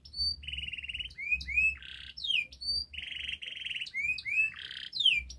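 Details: Canary master song for prompting a non-singing canary: repeated buzzy rolls alternating with sharp rising and falling whistled slurs, a pattern repeated twice over five seconds, with low hum beneath.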